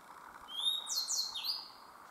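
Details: Grey bunting song from the Myōkō Kōgen highlands: a pure high whistle followed by a burst of rough, buzzy falling notes ending in a longer thin whistle, about one second long, over a constant low background drone.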